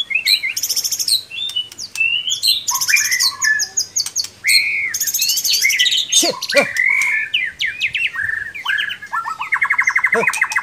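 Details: White-rumped shama singing for an online bird contest. The song is dense and continuous, mixing high buzzy bursts, rich warbled whistles and rapid rattling trills, with barely a pause across the whole stretch.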